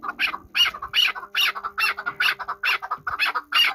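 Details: A hunting chukar partridge from Qabodiyon gives regular, loud chucking notes, roughly two or three per second, over a faint steady mechanical hum.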